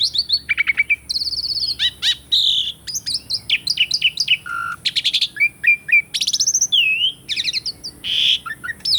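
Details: Asian pied starling in full song, recorded for real to coax silent birds into singing: dense, nonstop medley of high chirps, rattles, whistles and a low mellow note.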